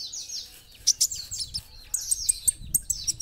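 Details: Kolibri ninja, the olive-backed sunbird, delivering lively masteran song: thin, high downslurred whistles run into sharp, bright chips that repeat in a quick, uneven series.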